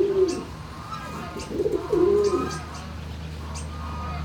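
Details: In a turkey barn on March 26, 2019, around midday, a wavering call opens, followed by a pair of rising-falling calls near two seconds, then quieter murmuring and a steady low hum.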